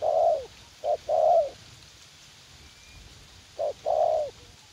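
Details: Young decoy spotted dove, described as eager to fight, used to lure wild doves in a garden at U Minh; a short low note followed by a longer mellow coo, the pair then repeated after a pause, over quiet background hiss.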